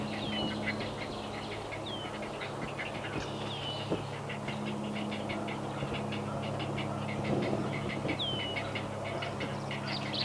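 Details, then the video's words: Great Blue Heron nestlings in north-central Massachusetts, USA, calling to parents delivering fish; continuous rapid clacking chatter, joined by several short slurred descending whistles from another bird and a steady low hum. "Great Blue Heron Babies | Eating | Calls"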